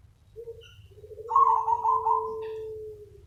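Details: Zebra dove calling to lure other doves: a short low note, then a sustained smooth tone topped by a rolling, pulsed higher coo that fades out, over soft low hum.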